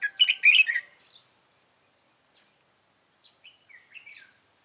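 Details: Fighting song of a red-whiskered bulbul during decoy trapping, 26 June 2018: a loud, rapid, chattering warbled burst at the start, then silence and a few softer, slurred whistled notes.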